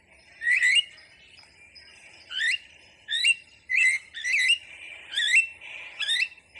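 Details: Starling calling with separate sharp, upward-sweeping whistled notes, some doubled, repeated about once a second over a steady high faint tone.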